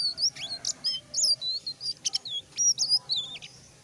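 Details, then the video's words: Lively full-voiced singing of a selendang biru: rapid high whistles, short chirps and rising slurs follow one another almost without pause, loud and bright over a low background hum. "burung selendang biru mulai buka paru gacor"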